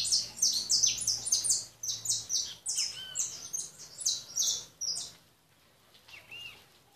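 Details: Goldfinch song: quick bursts of bright, high chirps and buzzy trills for about five seconds, then near silence broken by a single soft note.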